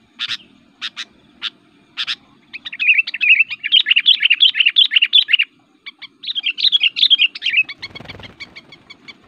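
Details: Kutilang, a bulbul, singing an aggressive, active fighting song to provoke other birds: a few sharp double notes, then a long rapid chattering warble of bubbly whistled phrases, a brief pause, and more chatter ending with a low thump.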